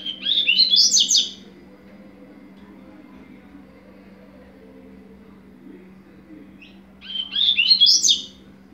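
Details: Double-collared seedeater singing the 'tui tui zero zero' song style: two quick bursts of high, twittering, rising notes about six seconds apart, with quiet low hum between them.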